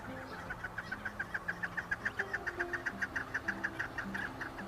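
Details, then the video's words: Rapid chukar partridge series: crisp clucking chuk notes delivered at a quick, steady pace of roughly three to four per second, with a soft low droning background. "Keklik ötüşü"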